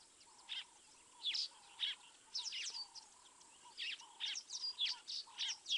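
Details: Crimson-breasted shrike at Mabula, South Africa, at 7:20 AM on 19 September 2023, giving short, sharp, high notes in uneven bursts of one to three while a low, steady buzzing note repeats beneath them.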